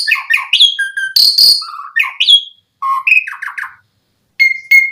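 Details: Asian pied starling used to draw starlings into singing: varied whistled phrases and a loud harsh burst, then lower repeated notes, a silence, and two final steady high whistles.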